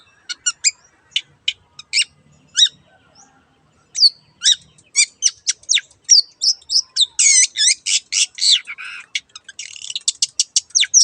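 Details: Lively long-tailed shrike song: scattered sharp chips that build into a rapid run of loud, varied whistles, buzzes and harsh chattering notes.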